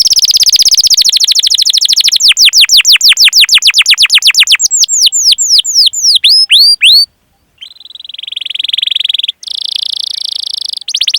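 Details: Canary training song for prompting young canaries to sing: rapid dense trill sliding into repeated descending whistled sweeps that slow and spread, brief silence, then steady buzzy rolled trills.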